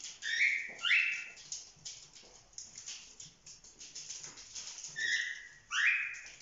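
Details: Young cockatiels over four months old, playing, give loud, harsh rising screeches in pairs, near the start and again around five seconds, with softer chatter and scratchy rustling between.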